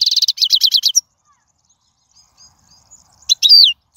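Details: European goldfinch, wild song aimed at teaching young birds: a quick string of bright twittered notes, a pause with faint thin sounds, then a short slurred whistled phrase.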